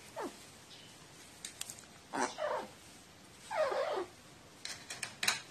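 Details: Crow begging like a nestling when given water, 29 March 2018; short hoarse calls with falling, slurred pitch, repeated every second or so, with faint clicks between.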